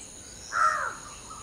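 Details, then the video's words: A common hill myna (Gracula religiosa) gives one loud, harsh, slightly falling note lasting under half a second, over a faint steady high hiss like distant insects. "Hill Myna Serenade: Preening, Singing, and Morning Symphony"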